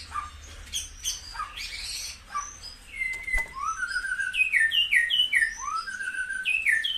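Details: White-rumped shama song used to rouse caged birds into peak form: a run of clear whistled notes, several sliding downward in quick succession, with higher thin notes above, delivered at a fairly fast, uneven pace.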